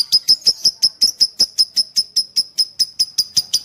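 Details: Fighter lovebird masteran for training lovebirds. A regular series of bright, piercing chirps, about four or five per second, each note short and clipped at one high pitch.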